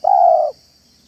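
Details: Spotted dove, manggung and meratus style cooing in a yard as a lure for doves: one loud, even, half-second coo that ends abruptly, followed by quiet with only a faint high steady whine.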